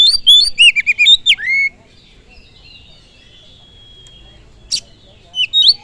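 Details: Oriental magpie-robin provocation song: a quick cluster of whistled notes ending in a falling slur, then a faint thin drawn-out whistle, a sharp click, and a brief whistled phrase at the end.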